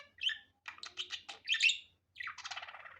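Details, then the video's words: Budgerigar, natural sound without editing: a few sharp chirps, a run of clicking, scratchy notes, a louder squawk, then a long buzzy, rattling warble. "Muhabbet Kuşu Doğal Sesi"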